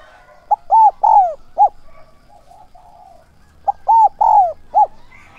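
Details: Spotted dove used as a decoy to lure wild doves, in the son voice style with thúc and gáy gọi calls. Two four-note cooing phrases: short coo, two longer arched coos, a clipped final note, repeated about three seconds apart.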